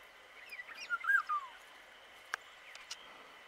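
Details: Fluty, wavering whistles from an Indian golden oriole (Oriolus kundoo). A few soft notes lead into a louder phrase ending in a falling slur, followed by steady hiss and a single sharp click.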